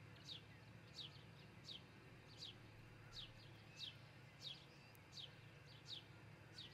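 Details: Rapid repeated piping calls, each a high note sliding downward, from an osprey at its Charlo, Montana nest on 22 June 2018 around dawn, recorded by nest camera over a faint constant hum.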